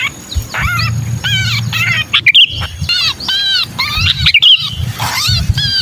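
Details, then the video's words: Sooty-headed bulbul distress call, used as a lure for bulbuls reluctant to come down. Harsh, scratchy, rapidly repeated chevron-shaped notes with rich harmonics, delivered in dense bursts, with a couple of brief higher whistles and a low hum underneath. "Suara pikat burung kutilang kejepit"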